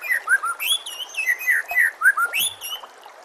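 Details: White-rumped shama song used as master training audio: rich whistled phrases sliding up and down, some slurred notes, and thin high overtone whistles above, delivered in quick varied bursts without pause.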